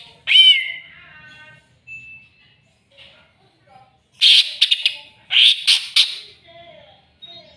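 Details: Greater green leafbird looking for a rival: a bright, clear whistled note that slides down, short soft notes, then two clusters of rapid harsh rasping bursts.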